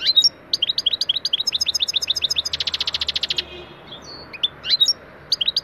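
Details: Goldfinch singing-lesson recording in the 'taneli çipet, bol cibili' style: lively twittered notes, then a dense buzzy trill of rapidly repeated tones, followed by a few scattered high chirps.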